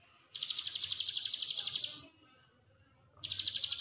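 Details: Hill prinia trill played to coax silent caged birds into singing: a high, even, buzzy run of rapid pulses for about a second and a half, a short pause, then the same trill resuming.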